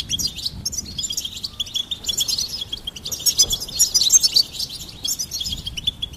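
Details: High, continuous goldfinch twittering: dense liquid chirps and trills that swell into a brighter, busier passage midway, then ease off.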